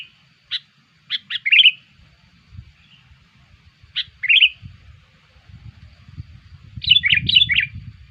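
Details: Sooty-headed bulbul calling as a lure for bulbuls: sharp staccato notes leading into bubbly warbled phrases, with a faint low rumble underneath in the second half.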